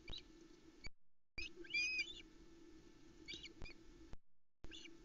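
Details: Osprey family at a Loch Arkaig nest, 7 July 2020 around 20:40, hungry after only three fish, mobs the adult male as he arrives with a small trout: short, high whistled chirps in quick bursts, some sliding, over a steady hum.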